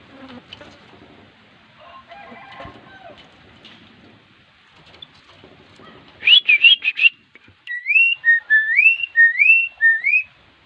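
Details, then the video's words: Javan myna being taught to give a greeting: after faint murmuring, a loud burst of harsh chattering notes comes, then a run of clear whistled rising slurs repeated about every half second. "Ngajarin jalak kebo memberi salam,ahirnya dia bisa"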